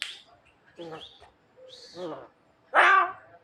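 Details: Javan myna imitating a person coughing: a few harsh, rasping, cough-like bursts, the last loudest and broadest, with short whistled notes between them.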